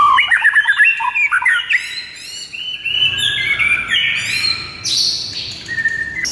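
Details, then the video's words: White-rumped shama in full gacor morning song for training, a fast, varied stream of whistles, chirps and buzzy trills shifting between phrases without pause. "PIKAT MURAI BATU ANDA DENGAN MASTERAN MURAI BATU GACOR PAGI HARI INI"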